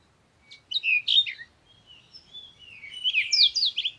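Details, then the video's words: Bird singing a varied twittering phrase, sliding whistled notes early on, then a thin sustained note leading into a dense burst of rapid warbling and trills toward the end. "Sound of the Birds"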